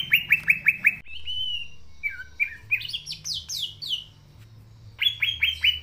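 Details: Green leafbird singing in full voice (gacor), natural sound used as a lure for young birds: rapid runs of repeated downslurred whistles frame a varied middle passage of slurred, rising and falling notes.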